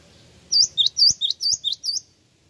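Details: Java sparrow calling as a lure for replies, seven sharp high chirps delivered steadily over about one and a half seconds, each a bent, piping note, with a couple of soft clicks beneath.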